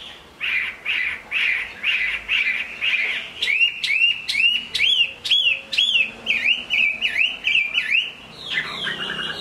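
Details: Caged Chinese hwamei singing during rain: a series of rich warbled notes repeated about twice a second, then sharp rising-falling whistles in quick succession, ending with a jumbled flourish.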